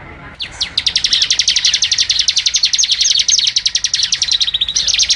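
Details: Bar-winged prinia song for training cage birds: an unbroken run of sharp, high, buzzy ticking notes delivered very fast for about four seconds at a steady pitch, dipping slightly near the end.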